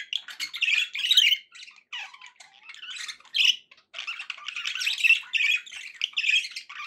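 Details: Pet budgies in a happy mood give squeaky chirps, grating squawks and quick warbling chatter in uneven bursts.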